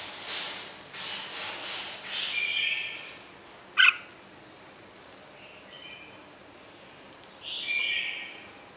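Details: Red-whiskered bulbul (Pycnonotus jocosus) singing short, bright whistled phrases in separated bursts, with a sharp click midway and a steady background hiss.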